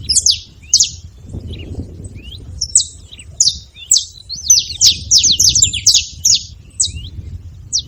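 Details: Saffron finch (canário-da-terra) making noise: scattered high chirps at first, building to a dense burst of rapid, sharp falling notes, then thinning out again.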